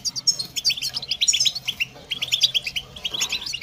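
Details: A goldfinch chirps and twitters in rapid high, tinkling notes, some sliding and buzzy, delivered in uneven bursts with short pauses, and a low background hum.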